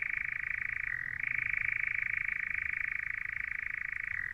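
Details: European nightjar on a Norfolk heath churrs: a dry, rapid, unbroken mechanical trill that holds steady and dips briefly in pitch near the start.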